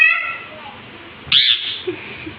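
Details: Angry green parrot giving one short, harsh, loud squawk in the middle, after a soft harmonic call at the start, with a woman speaking Hindi around it.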